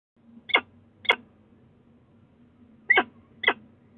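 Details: Peregrine falcon at the Sussex Heights nestbox in Brighton, 22 February 2018, late calling: four short, harsh, chipped calls in two pairs about two seconds apart, over a steady low electrical hum.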